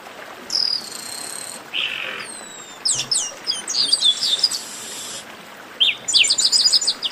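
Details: Esquenta warm-up song of a Chestnut-capped blackbird: a high whistle with a buzz, a coarse lower buzz, then descending whistled glides and dense rapid notes, ending in short sliding phrases.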